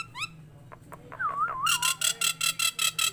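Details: Tame Nias hill myna giving a rising whistle, a wavering warbled whistle, then a run of about eight loud harsh notes repeated roughly every fifth of a second, with a low hum.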